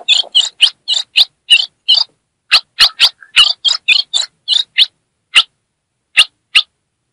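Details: Female ultramarine grosbeak from the Northeast of Brazil giving fiery chirps meant to excite a male: a fast run of short, sharp chips, then slower scattered single chips with longer pauses, nothing else heard.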